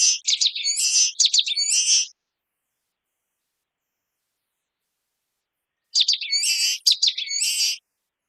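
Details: Common waxbill song in two bursts about two seconds long, quick ticking notes running into high, buzzy, warbled trills, with several seconds of silence between phrases.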